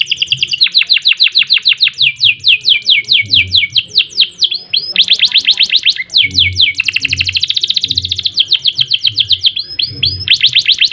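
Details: Persistently singing canary, Indonesian ngerol and nembak style, meant for tutoring and prompting other canaries: dense, very fast high trills and rolling chatter run almost without pause, with short buzzy stretches between.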